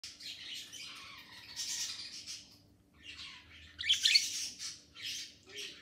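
Green parakeets give harsh, screechy squawks in bursts, several birds calling over one another in a noisy flock chorus.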